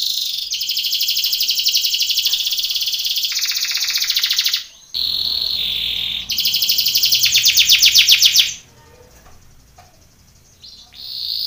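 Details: Belgian canary training song for singing contests: loud, high rolling trills of rapid pulsed notes, a sharp break near five seconds, then buzzy, rattling rolls that climb and fall before fading to near silence.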